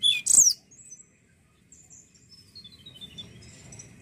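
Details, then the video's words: Juvenile Sunda robin (tledekan bahan) sound meant to prompt other birds to sing: one loud, very high, sharp chirp burst at the start, followed by a faint, thin, descending series of high whistled notes. "Pancingan bunyi burung Tledekan bahan"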